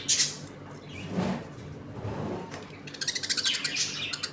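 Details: Budgerigars kept as a home colony, eating and playing: a bright high chirp at the start, a soft low murmur through the middle, then a fast run of rapid pulsed high notes near the end.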